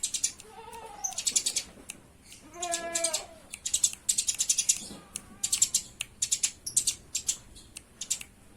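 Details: Eurasian tree sparrows fighting: clustered high chirps in rapid rattling bursts through the whole stretch, broken by a few lower, tonal, wavering calls.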